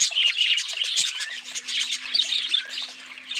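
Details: Chattering budgerigars giving rapid high chirps and warbles in overlapping bursts, while a faint steady low hum runs underneath.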